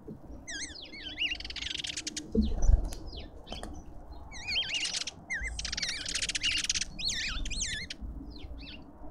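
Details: Lovebirds at a feeder in a suburban Pretoria garden in South Africa. Shrill, wavering squeaks mix with harsh screechy bursts, with a short thump and soft wing noise early on.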